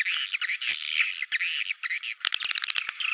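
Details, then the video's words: Swiftlet calls, offered as the ideal sound for a swiftlet house: dense, high buzzy twittering in long rasping bursts, broken by short gaps, then a stretch of quick choppy chirps near the end. "SUARA BURUNG WALET"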